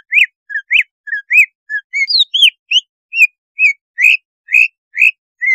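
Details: Cucak ijo song meant to raise breeding drive and make the bird fierce: a fast run of about fourteen varied whistled notes, some rising, some falling, with a few sharper high slurs, in quiet surroundings.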